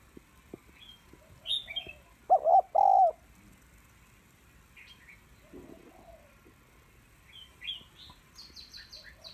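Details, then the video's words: A female spotted dove calls to excite males with one short phrase of three low hollow coos, amid scattered high chirps from other small birds and a faint steady hum. "Cu gáy mái kích trống/ tiếng cu gáy mái kích trống hay"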